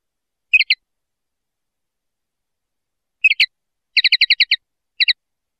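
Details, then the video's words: Common linnet singing: a brief twittered group of chirps, then after a gap a fast run of about seven bright, evenly spaced notes and a final pair, all high and clean with no other sounds. "Canto Pardillo / Carduelis Cannabina"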